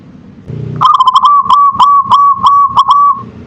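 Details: Local zebra dove (perkutut) singing its manggung song: one clear cooing phrase of rapid staccato pulses that ends in a longer drawn coo, lasting about two and a half seconds, with a low murmur before it.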